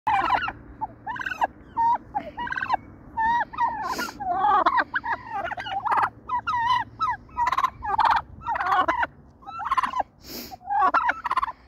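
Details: Angry wild turkey hen calling: rapid series of short yelping and clucking notes, bursts of sharp repeated calls with brief pauses between, steady throughout with a few clicks.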